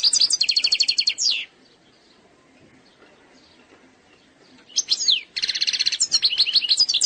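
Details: European goldfinch from Algeria singing the eastern sector style without faults: a fast buzzy trill ending in a downward slur, a long pause, then sweeping whistled notes and a dense rattling trill mixed with chirps.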